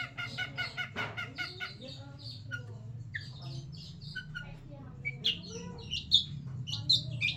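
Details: Long-tailed shrike giving old-style song material: a varied medley of chattering notes, then short sharp whistles and squeaks, set against a low hum.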